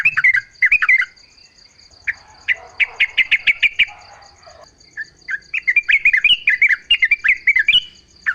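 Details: Yellow-vented bulbul singing vigorously to provoke other bulbuls into answering: clipped chirps, then an evenly spaced run of sharp notes, then a bubbly rolling phrase, with a constant high pulsing buzz in the background.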